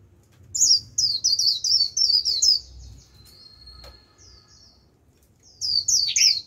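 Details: Decoy Japanese white-eye singing líu to attract wild white-eyes: a string of loud, high, sharply repeated chirps, a thin sustained whistle, quiet, then another bright twittering burst dropping to a lower note.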